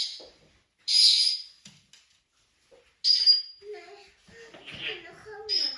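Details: Pet African grey parrot at home giving chatter and squeaky noises: sharp high squeaks in bursts near the first and third seconds, then softer warbling squeaks and whistles trailing off.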